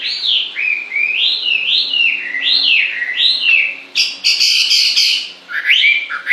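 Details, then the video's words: Constantly singing bird gives a series of looping, rising-and-falling whistled phrases, roughly one per second, with a brief scratchy burst midway before the whistles resume. "Con chim hót suốt nghe mát ruột"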